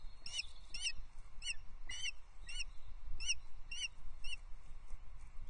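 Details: Osprey at Loch Arkaig Nest Two, Scotland, at sunset on 16 May 2024 as the male brings a third fish, a headless trout, which the female takes; a series of about ten short, thin chirps, steady spacing, faint over low rumble.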